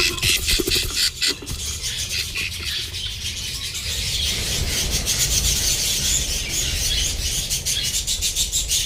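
Budgerigars squabbling with rapid, harsh, scratchy chatter and shrill squawks during a fight.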